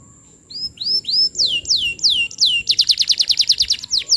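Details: Lure song of a vigorous canary, meant for tutoring young canaries: a few arched whistles after a quiet start, then falling sweeps, then a quick pulsing trill of high notes.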